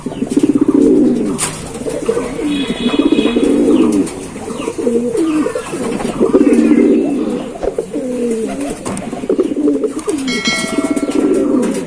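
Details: Several Giribaz pigeons give low, throaty rolling coos in overlapping bursts, with a few faint higher chirps near the end.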